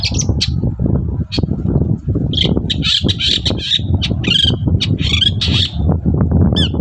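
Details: Morning song of a long-tailed shrike, meant to make any shrike answer: a varied, continuous stream of harsh squawks, trills and short whistled notes, some sliding downward, over steady low-frequency background noise.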